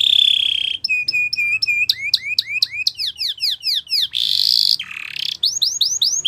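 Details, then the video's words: Varied song of a Spanish Timbrado canary for training canaries: a sustained whistle, a run of clipped flat notes, quick upswept phrases, and a harsh buzzy burst before more rising notes. "Canary Singing Champion !! Spanish Timbrado Song"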